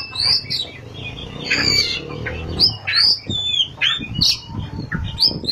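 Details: 'Ngerol' and 'nembak' song of an Oriental magpie-robin: high swooping whistled notes repeated in short bursts, about one each half second, over a low background hum.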